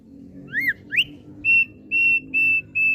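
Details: Kept Thick-billed heleia singing: two quick upslurred whistles, then five steady, clear whistled notes on one pitch, evenly spaced about every half second, over a faint low background hum.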